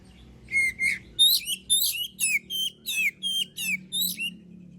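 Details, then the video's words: Oriental magpie-robin singing as a lure to stir other birds into song: a whistled opening note followed by a rapid run of about ten harsh, chattering downslurred notes, steadily repeated, over a low background hum. "Suara burung kacer gacor paling ampuh buat pancingan"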